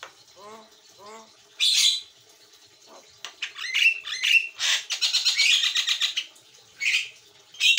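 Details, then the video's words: White-eyed Javan myna singing actively, used as a master recording for training birds. Faint nasal harmonic notes open, then loud harsh squawks, a sharp whistled note, and rapid rattling chatter in bursts, ending with more harsh squawks. "JALAK KEBO MATA PUTIH GACOR"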